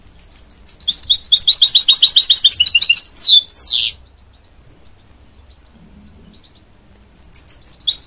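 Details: Goldfinch mule from a goldfinch-canary pairing sings a long, fast, rolling trill of repeated high notes, closing with two sweeping downward slurs, then quiet before soft chirps resume.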